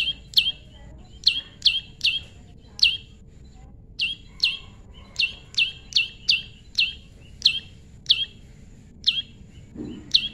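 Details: Prinia heard during natural pairing, tame bird: sharp, high chipping notes, each a quick downward slur, repeated in an uneven series of about fifteen over ten seconds, with a faint low hum underneath.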